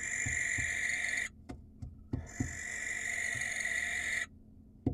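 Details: Barn owl in the wild, calling to attract a female. A harsh screech ends after a second, a pause with soft thumps follows, then a second rasping screech lasts about two seconds.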